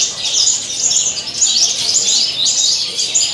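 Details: Javan bush lark at a song competition, singing hard from the contest perch with a rich fill. Quick, sharp high-pitched chirps and twittering phrases pour out in an unbroken, rapidly repeating stream.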